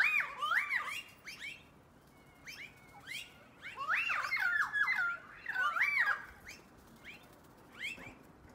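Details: Noisy miners gathered before dark, giving harsh, rapid chattering calls with sharp rising-and-falling notes in bursts, several birds overlapping, with brief quieter gaps between outbursts.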